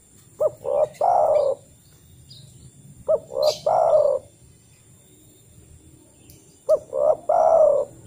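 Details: Spotted dove calling, a sound played to coax doves into calling back. In the wild it calls other doves. Three phrases about three seconds apart. Each is a quick note, a short swell, then a long mellow coo.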